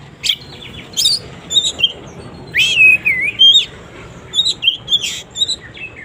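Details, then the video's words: In the morning an oriental magpie-robin sings to coax quiet birds of its kind: clear whistles, some swooping down then up, mixed with sharp chips over a soft hiss. "suara burung kacer gak ada ahlak"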